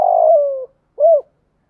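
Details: Decoy spotted dove luring wild doves with a 'gáy gọi một hậu' call: a long, steady coo that slowly falls in pitch, followed by one short rounded note.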